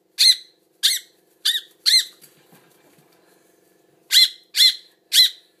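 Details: Baby bird being hand-fed indoors, begging eagerly: sharp high chirps in two bursts, four quick calls then a pause and three more, each a clear downslurred squeak.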